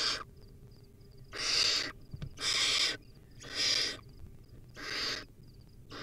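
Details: Wild barn owl chick, filmed on a nest camera while feeding on a rodent, repeats snoring, breathy hisses about once a second, five in six seconds, with a brief knock and faint high ticking between.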